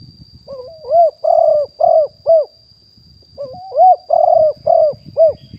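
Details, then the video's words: Spotted dove, stated to be wild, recorded live in 2021 as a decoy bird. Two phrases of a rising intro note and four rough coos each, over low rumbling handling noise and a thin continuous high tone. "นกเขาใหญ่ป่าเต็ม100% บันทึกสดเสียงต่อนก2564"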